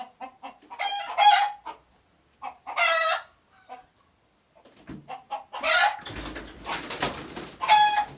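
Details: A chicken in Uganda giving alert noises: several loud, harsh squawks among quick soft clucks, with a burst of broadband rustling noise near the end.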